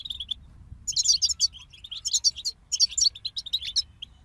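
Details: Song from a group of European goldfinches: a few thin introductory notes, then quick bursts of chattering, liquid twitters and trills in three main phrases with brief pauses between them.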